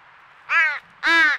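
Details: Baby crow, a fledgling with its crow family at a squirrel feeder in Nova Scotia, Canada, crying all day: two harsh, nasal, rasping caws about a third of a second each, the second louder, with faint background hiss.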